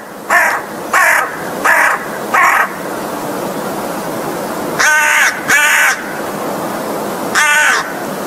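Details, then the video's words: Harsh, raspy caws from an American crow: four evenly spaced caws, a short pause, a close pair, then one final caw. "crow's song!!!"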